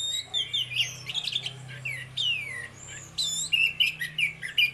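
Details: Orange-headed thrush, one of two singing to draw other birds into song, in 'ngeplong' style. Long downward-sliding whistles alternate with quick warbled clusters over a noticeable low hum and background hiss.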